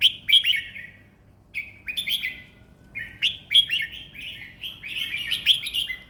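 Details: Caged red-whiskered bulbul kept for song contests in Thailand, singing easy-paced phrases of bright, liquid, slurred whistles in short clusters separated by brief pauses, a low background hum.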